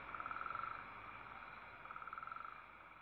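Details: Owl chicks being fed by their mother on December 19, 2012 give two rapid pulsed, rasping hisses, the first fading into a steady breathy wash before the second rises near the end.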